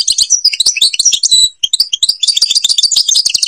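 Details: Algerian European goldfinch, Babas forest Tibrli song: rapid, high chirps and tinkling twitters with a sustained whistled note, a short break, then a fast, dense stream of sharp twittering.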